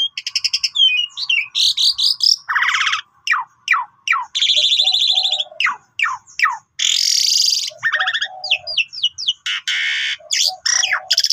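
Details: Pied myna (jalak suren) in long 'golden voice' full-filler song, used as a lure for silent birds: rapid rasping buzzes, sharp downslurred clicks and whistles alternate in dense, varied bursts with brief pauses.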